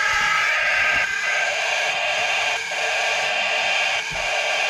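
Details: Cockatiel chicks, 15 to 21 days old, in a heated terrarium on 24 June 2019, give a harsh, continuous raspy hiss that barely pauses, with brief dips about every one and a half seconds.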